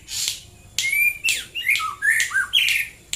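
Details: White-rumped shama (murai batu) singing in the morning around Prambanan, Klaten, Central Java: a run of varied whistled phrases, some sliding and some looping, separated by brief bursts of scratchy sound across about three seconds.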